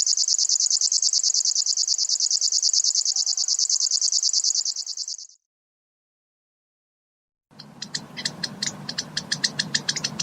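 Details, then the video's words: Locustella grasshopper warbler reeling: a high, insect-like trill of rapid even pulses for about five seconds, then silence, then a different bird's chattering notes over low background noise. "Сверчок. Голоса птиц"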